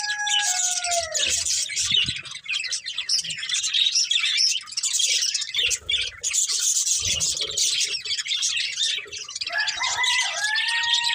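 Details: Budgerigars, a breeding pair kept as a family, chirping in dense continuous warbling chatter with scratchy, buzzy notes, and clear sliding whistles at the start and near the end.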